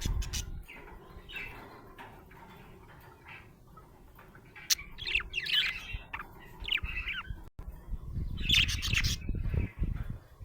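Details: A happy budgie gives bursts of quick twittering chirps and scratchy squeaks between quieter gaps, with low rumbling handling noise near the end.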